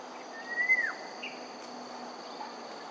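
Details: A grey-headed fish eagle at Sungei Ulu Pandan, Singapore, at 7:12am on 28 September 2021, gives a single drawn-out whistled note that rises gently, then drops off sharply, over a steady high insect drone.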